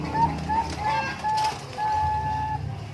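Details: Bangkok-type zebra dove at Umbaran, cooing in clean level notes, several brief ones then two longer drawn-out notes, with faint traffic-like rumble underneath.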